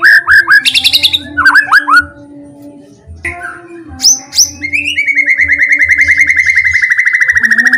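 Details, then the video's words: White-rumped shama singing as a lure for other shamas: quick high chirps and down-slurred whistles, a short pause, then a long rapid trill of evenly repeated notes. A low steady drone continues beneath. "PANCINGAN MURAI BATU ...KURANG GACOR,,!!,, PASTI NYAUT IKUTAN GACOR,, GAK BISA DIAM"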